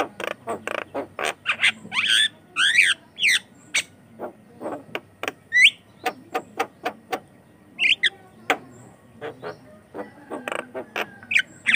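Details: Lively Javan myna song kept as a lure for training other mynas: rapid dry clicks and chattering notes, a run of harsh buzzy bursts in the middle, and scattered short whistles.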